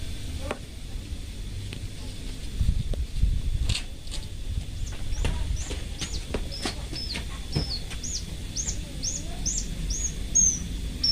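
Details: Local Horsfield's bushlark, parva type, singing loudly in a cage; a series of short rising whistled notes repeated steadily in the second half, after scattered clicks and knocks, over low background rumble.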